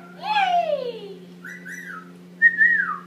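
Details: An 8-month-old male pet Indian ringneck parakeet, practising talking in the shower, gives a drawn-out, falling, voice-like phrase, then two short clear whistles that level off and drop, over a steady low hum.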